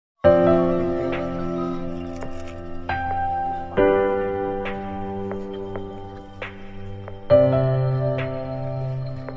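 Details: Gentle piano music with soft chords struck about every three and a half seconds and left to ring, with no animal voice heard.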